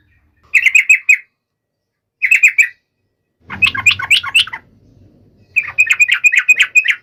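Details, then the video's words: Yellow-vented bulbul in vigorous song, used to call a rival: short bursts of rapid, bright chattering notes, each lasting about half a second to a second, separated by silent gaps, with a low rumble under one burst. "SUARA trucukan gacor MEMANGGIL LAWAN"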